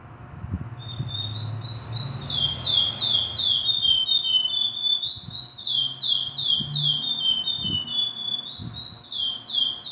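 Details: Curió singing continuously: repeated series of whistled down-slurred notes, each phrase rising then stepping downward, delivered in three waves across ten seconds, with soft low background hum and occasional knocks.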